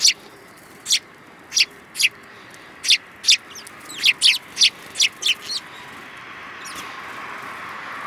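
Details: Sparrows in winter, 21 January 2018, one yellow-beaked: a clear series of about a dozen sharp, high chirps, first spaced roughly every half second, then quickening, before fading into soft rushing noise.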